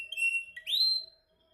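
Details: Canary during singing training, practising its song: a sustained pure whistled note, a brief lower note, then a bright rising whistle that holds and fades, all within about one second, over a quiet background.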